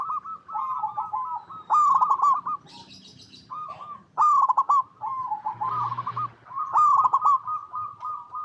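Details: Local zebra dove (perkutut) singing actively, recorded in natural habitat: repeated soft cooing phrases near the same mid pitch, each a fast stuttering run of notes ending in a drawn-out coo, about every one to two seconds, with brief higher chirps between.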